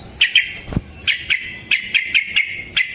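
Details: Sooty-headed bulbul in rapid fighting song: clear, slightly slurred whistled notes come in quick pairs and triplets, with a sharp low thump heard early on.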